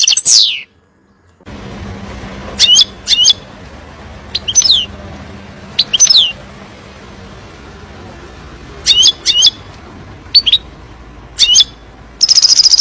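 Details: Goldfinch song used to teach young birds, mostly scattered short twittering call notes spaced a second or more apart over a low hum, ending in a fast high trill.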